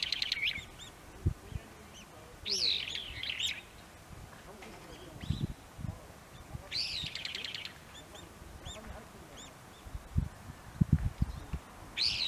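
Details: Brown-eared bulbul in an early-blooming cherry tree at Maekubo Central Park, Moroyama, Iruma District, Saitama, Japan, on 17 March 2022. Harsh, screechy, buzzy calls come in short bursts about every four to five seconds, with low thumps and rustling underneath.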